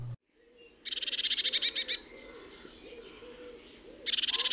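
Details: A Eurasian blue tit gives a snickering call, a fast, high chattering burst of about a dozen mischievous-sounding chirps in just over a second, then starts again, over a soft low murmur.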